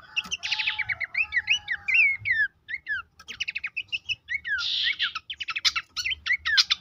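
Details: Horsfield's babbler song played as a training recording for caged birds. Varied quick phrases mix down-slurred whistles, rapid repeated chips and a harsh buzzy burst. A low background rumble and a steady lower tone are audible early on.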